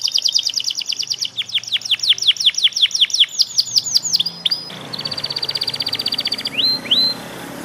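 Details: A young Panda canary learning its song delivers a rapid series of downward-sweeping whistled notes, then a steady fast trill of short repeated notes and two final rising whistles.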